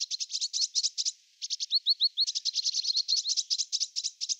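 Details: Courting European robin delivering a near-continuous stream of quick, high, sharply repeated notes, broken briefly by a few slurred rising whistles before the rapid ticking phrases resume.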